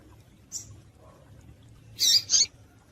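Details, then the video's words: Female double-collared seedeater calling, a call used to excite males and get them singing: a faint high chip near half a second, then two loud, bright, high-pitched notes in quick succession, over a low background hum. "Piado de Fêmea de Coleiro para Esquentar Coleiro"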